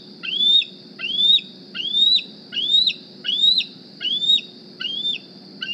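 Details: Bald eagle juvenile wearing a GPS transmitter, flown to its Decorah nest in the morning looking for food: a steady run of seven shrill, rising whistles, one roughly every 0.8 seconds, over a soft low hum.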